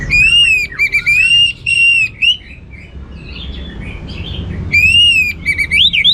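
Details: Orange-headed thrush (anis merah) in vigorous gacor singing, teler style, with a rich repertoire: clear whistled slurred phrases, each about half a second long, repeated in bursts. A quieter stretch of soft twittering follows before the whistles return.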